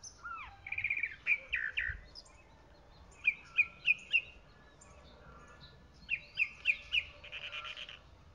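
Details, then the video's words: Chalk-browed mockingbird singing in short bursts: groups of three or four quick, sharp repeated chirps separated by pauses of about a second. "Calandria Grande Canto - Calandria Grande - Chalk-browed Mockingbird Bird Song - Mimus Saturninus"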